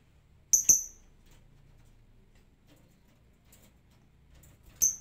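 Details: Lovebird making sparse 'ngetik' ticking calls, unprompted: a quick pair of high piercing chirps, then about four seconds of quiet background hum before one more chirp.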